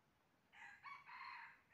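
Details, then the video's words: Red junglefowl crowing during trapping, recorded 20 January 2023: a brief rough, broken crow of three segments over a soft hissing background. "bẫy gà rừng mới nhất 20/01/2023 cuab qaib qus tuaj zoo heev"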